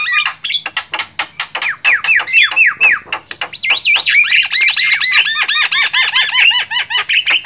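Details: Wild Javan myna producing rapid harsh clicking bursts, then slurred downward whistles, and finally a quick steady string of arched whistled notes.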